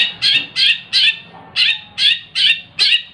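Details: Caged hand-raised long-tailed shrike uttering a series of harsh, grating notes, seven in three seconds, evenly spaced and similar in tone.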